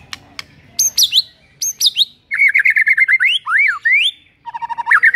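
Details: Morning song of a white-rumped shama meant to make a rival shama sing: loud descending whistles, then a rapid rippling run of rising and falling notes, ending with quick repeated chirping phrases.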